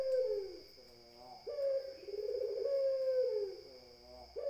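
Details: Puter dove delivering a drawn-out, purring low coo that starts abruptly, holds steady and falls away at the end, preceded by the tail of a previous phrase; faint high hum behind.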